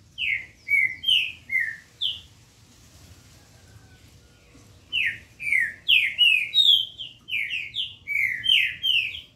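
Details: Green-winged saltator song from 8 October 2021: bright, downward-slurred whistles in rapid phrases, a pause of about two seconds, then a faster, denser burst of ringing notes.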